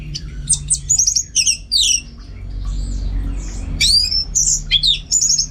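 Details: Orange-headed thrush kept at home in North Bali singing high, sharp whistled notes and rapid twittering trills in separate bursts, with a steady low hum beneath.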